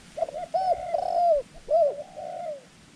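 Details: Thai trapping decoy dove, white-clawed and soft-voiced, calling to lure wild birds; one drawn-out coo phrase of arched, wavering notes, a brief pause, then a second arched coo trailing off, faint background hum.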